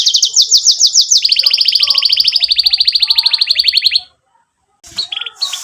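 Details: Canary singing to tutor young birds: rapid sweeping notes merge into a fast, steady rolled trill lasting about three seconds, a brief silence, then short high chirps.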